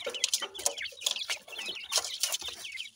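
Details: Pakistani teetar babies feeding: busy overlapping high chirps and quick trilled peeps, punctuated by sharp pecking clicks roughly every half second.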